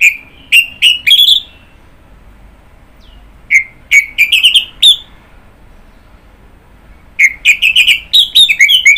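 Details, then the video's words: Song of an orange-headed thrush: three bursts of sharp whistled notes, each phrase of several quick slurred notes, the last burst longer and more varied, with silent gaps between. "Kicauan Burung Anis Merah"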